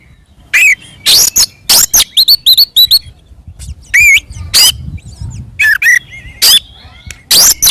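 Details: Oriental magpie-robin fighting song to provoke other birds: a series of sharp, loud clipped whistles and chirps, some in quick doubled pairs, with soft thin whistles between them.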